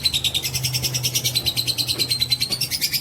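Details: Bait sound of a fighter-type lovebird singing a long ngekek: quick, sharp, buzzy pulses in a steady run, roughly seven per second, over a faint whistled line and low background hum.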